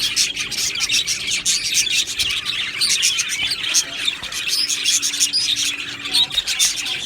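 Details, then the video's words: Cheerful budgerigar aviary colony: a thick, unbroken blend of high chirping, warbling and squeaking from many birds at once, with a faint low hum in the background. "Budgie Sounds for lonely Budgies | Happy Budgies Birds Sounds"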